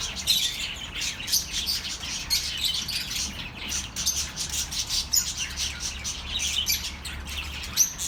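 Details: Relaxing bird chatter for lonely pet birds: numerous small birds twitter at once, rapid high chirps rising and falling in loudness, with a low steady hum underneath.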